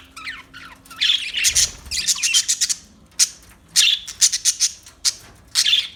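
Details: Budgerigar giving fast, scratchy high chirps and warbled squawks, with short rising whistles early on and clustered bursts throughout.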